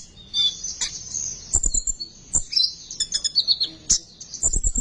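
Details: Sunbird besetan song used to make sunbirds sing: high thin trill with sharp squeaky notes and rapid chirp bursts, accompanied by low thumps and rustling.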